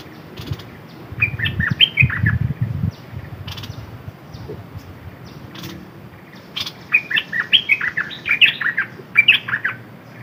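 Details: Decoy red-whiskered bulbul in dok taeng style: two bursts of cheerful whistled warbling, the second longer and richer, with low rumbling handling noise early on and a few clicks.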